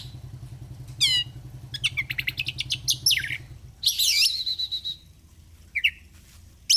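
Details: Caged oriental magpie-robin singing a varied song of fast repeated ticking notes, descending whistled sweeps and harsh buzzy bursts, over a low mechanical hum early on.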